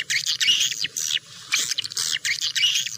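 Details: Clear swiftlet twittering: three or four bright buzzy bursts, each about half a second long, with short silences between.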